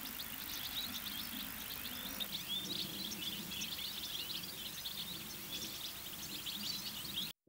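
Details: A charm of European goldfinches in an autumn–winter flock at Rainham Marshes, South Essex, sings from a tree after a jogger flushed them: dense, overlapping, bright tinkling twitter throughout over a low background rumble.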